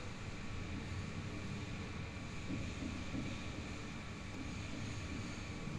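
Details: A constant low mechanical rumble like a passing train or engine, with steady background hiss and no animal sounds.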